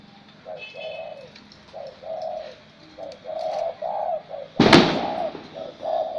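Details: A wild-caught spotted dove after 80 days in a cage coos in an even, bronze-toned voice. It gives a steady series of short, mellow, mid-pitched cooing notes, and one sharp loud clatter interrupts them midway.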